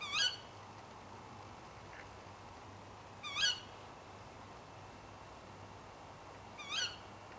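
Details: Late at night, a female Tawny Owl repeats a brief, piercing, squawky call three times at roughly three-second intervals over faint low background hum.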